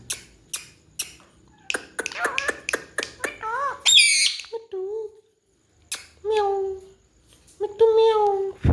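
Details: Pet ring-necked parakeet talking, mimicking greetings in Urdu or Hindi; a series of sharp clicks, then wavering speech-like syllables, a shrill squeak, and several drawn-out, descending nasal words separated by short pauses, in a small quiet room.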